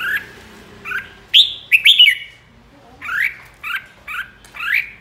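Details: Red-whiskered bulbul flock leader in ché song: short, cheery, upward-slurred chirps alternating with a loud cluster of sharp whistled notes, phrases spaced about half a second apart.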